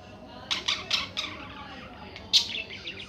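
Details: Budgerigar chirping: a quick run of four sharp, bright chirps, a short pause, then a louder chirp followed by softer chattering notes, over a low background hiss.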